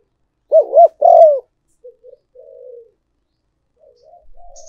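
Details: Spotted dove decoy call for luring: loud, close, arched double coo and a strong drawn-out note, then quieter short coos and a long soft croon, ending with faint wavering coos.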